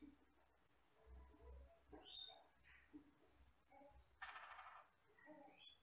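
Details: Asian glossy starling, a skittish forest bird that is jet black with red eyes, singing: scattered high, thin whistles and short chattering phrases separated by pauses, plus a dense burst of harsh noise near the end.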